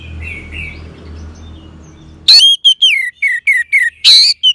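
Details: Orange-headed thrush song for stimulating a quiet bird. Faint whistles over a low hum, then a loud burst of clear downward-sliding whistled notes after two seconds, ended by a harsh rasp.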